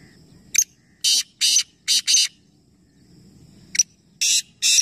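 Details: Calling competition of three black francolins at Nawabshah. Coarse, scratchy bursts repeat in irregular groups of two to four, with short sharp notes and a quieter background between the sequences.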